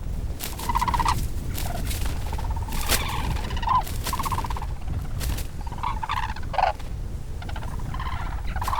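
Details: A Red-crowned Crane in the Cheorwon DMZ farmland, reacting fiercely after a predator ambushes it and bites its neck, gives harsh, rasping bursts, short and irregular, with heavy low rumbling and scuffling noise underneath.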